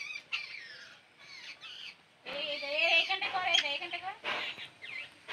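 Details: Bird chick being fed by its mother, giving harsh, squawking begging calls: a few thin rising-falling squeals at first, then a louder burst of rapid, overlapping, buzzy harmonic squawks continuing to the end.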